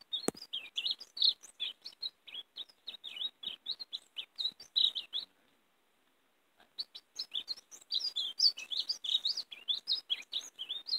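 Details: European greenfinch singing the warbling 'mariposa' style, used to lure and catch greenfinches: rapid twittering chirps and trills with notes jumping up and down, a brief pause midway, then dense twittering resumes.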